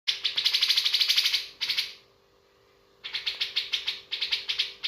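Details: Bearded bulbul singing a richly filled song: quick bursts of bright, high chirps at about three per second, a two-second silent break, then the rapid chirping resumes. A faint steady hum sits underneath.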